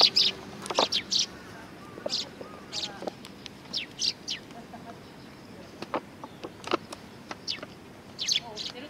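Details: Several Eurasian tree sparrows gathering to be fed at a Tenmangu shrine, 20 September 2020; quick sharp chirps in bursts, some overlapping, with soft voices of people in the background.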